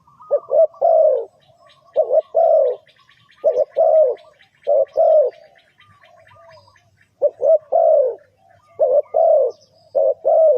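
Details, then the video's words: Trap-lure calling of a spotted dove: rhythmic sets of short hoarse coos, each ending in a longer sliding coo, given steadily throughout. Soft rapid ticking sounds run faintly behind. "Suara Tekukur"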